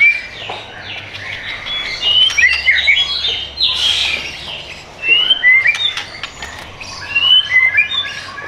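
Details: White-rumped shama song; a rich, varied run of whistled phrases and sharp chirps, some notes sliding upward, given in bursts with short pauses, over a steady background hiss.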